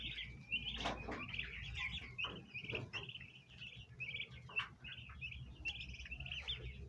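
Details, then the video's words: Domestic bronze turkey poults at a basin of ornamental plants, wanting to eat, keep up short, high, evenly spaced chirps, slightly trilled, with occasional clicks and rustles underneath. "baby turkey Free Sound Effects | bronze turkey poults"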